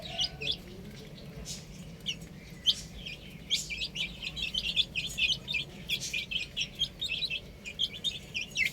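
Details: Rooftop chicks at play give sparse high peeps at first, building into a lively continuous chatter of short cheeps, over a steady low drone.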